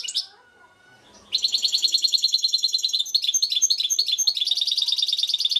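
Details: European goldfinch, known as trnan, singing in Šuto Orizari: after a brief opening note, a sustained, fast, metallic twittering series with evenly pulsed, slightly buzzy chirps.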